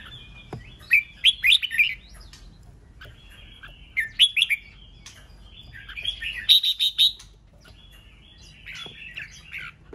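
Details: Provoking "ché" song of a red-whiskered bulbul, used to spur rival birds to compete. Clusters of quick, warbled whistles arrive about every two to three seconds, separated by quiet gaps, over a faint low hum.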